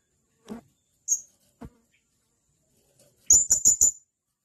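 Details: Blue-crowned hanging parrot (serindit): a few soft clicks and a lone high peep, then a sudden burst of four loud, shrill notes in fast succession near the end.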